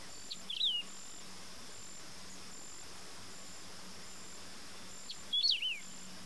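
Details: Wedge-tailed grass-finch (canário-do-campo) song: two short bursts of thin, high, slurred whistled notes, rising then dropping, separated by a long quiet gap, over a steady insect hum and low background drone.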